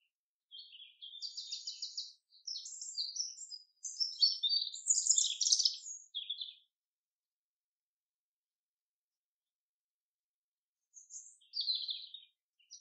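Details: Common chaffinch singing in a forest: a run of high, rapid trilled phrases lasting about six seconds and ending in a dense flourish, then a pause of several seconds before a short second burst begins. No other sounds are heard.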